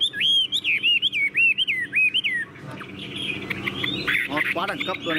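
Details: Song of a tame, caged Chinese hwamei: a run of loud, looping whistled notes about three per second, followed by softer, jumbled chattering warbles.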